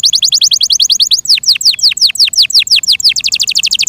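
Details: Yorkshire canary kept as a pet, singing fast runs of sharp descending whistled notes, about eight per second, slowing into broader swooping slurs, then speeding up again.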